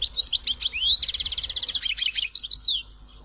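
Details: Tizi Ouzou European goldfinch delivering a fast, tinkling medley: chattering notes, an upslurred whistle, a rattling trill, then descending twitters, with a low background hum.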